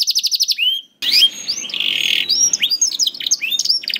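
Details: Canary singing, recorded to tutor young canaries and coax silent birds into song: a fast trill breaks off abruptly, then scattered upslurred and downslurred notes, a short buzzy tour and faint background hiss.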